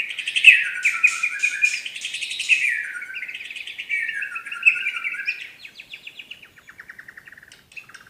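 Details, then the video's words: White-rumped shama, Medan, giving a long rattling, buzzy trill that wavers in pitch, loud at first, then fading into a slower series of dry repeated ticks, typical 'tembakan' delivery. "tembakan burung murai batu medan"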